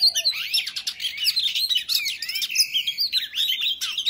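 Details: Oriental magpie-robin in full song, a fighting song meant to provoke other males: rapid varied whistles, sweeping slurs and harsh chattering notes run together with barely a pause.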